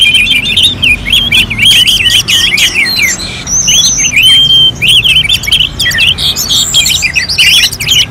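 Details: Orange-headed thrush singing in a contest-style session: a fast, varied run of whistled, slurred phrases around mid-high pitch, mixing sharp chips and short rising and falling notes in dense, unbroken sequences, with faint low background hum.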